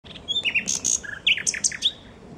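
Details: Common nightingale singing in Westduinpark: a quick, varied phrase of sharp whistles, clicks and buzzy upswept notes, loud and close, over a low background rumble.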